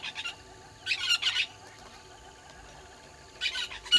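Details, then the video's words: Red-billed hornbills at Gowrie dam waterhole, Djuma Game Reserve, Sabi Sand Wildtuin, South Africa, early morning of 20 March 2022. Two short bursts of sharp, chattering chirps, about two and a half seconds apart, over a quiet, low hum. "Red-billed Hornbills below the cam"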